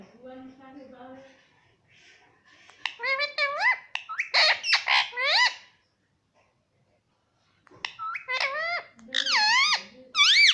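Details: Pet parrot said to be saying "papa"; a soft low murmur, then bursts of bright, harmonic, wavering notes that bend up and down, a pause of near silence, and more looping rising-falling calls.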